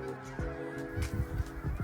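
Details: Canada geese from a flock of thousands congregating on lakes at Rogers Grove, Colorado, give short, low, nasal honks overlapping in quick bursts, over a steady tonal hum that may be background music.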